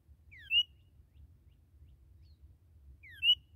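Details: Newly captured red cardinal giving two brief phrases about three seconds apart, each a short downward-slurred whistle followed by a sharp rising-then-falling whistled note, with a low background hum.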